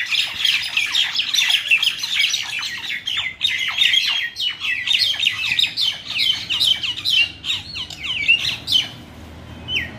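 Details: Common mynas fighting in Keraniganj, Dhaka, Bangladesh, a loud unbroken clamour of grating squawks and quick chirps that thins into scattered calls toward the end.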